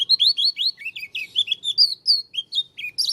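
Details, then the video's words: Oriental white-eye of the Lombok leaf variety, noted for a strange voice: continuous rapid, high, sweet twittering phrases of slurred notes, rising and dipping, with no other sounds. "Pleci dakun lombok suara aneh"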